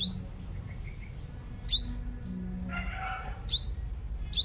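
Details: Sunbird of the five-coloured type, used as a lure bird in Long Thành, Đồng Nai, Vietnam, repeats high, shrill upslurred notes roughly every one to two seconds, with a few softer twittered chirps and a faint low hum beneath.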